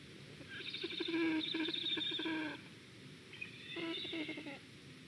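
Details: Black stork at its nest in Estonia, 2021, reacting to a squirrel: two bursts of harsh, rapidly pulsed, buzzy calls with rich harmonics, the first lasting about two seconds, the second about one second, over a quiet background hiss.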